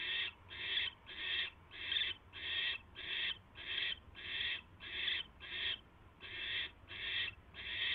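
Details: Barn owl nest, 22 January 2016, late evening, during a mouse delivery: a rhythmic series of about fourteen coarse hissing screeches, each about half a second long, with brief gaps and faint hum.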